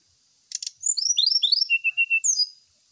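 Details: Lure song of the brown-chested jungle flycatcher, meant to prompt kept birds to sing when set out in the morning dew; a two-second rush of sharp clicks, sweeping high whistles and a few level, steadier notes.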